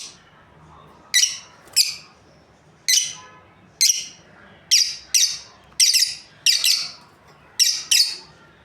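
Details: Lovebirds, a breeding pair, giving repeated harsh high chirps, often in quick doubles, about a dozen notes over several seconds against a quiet background.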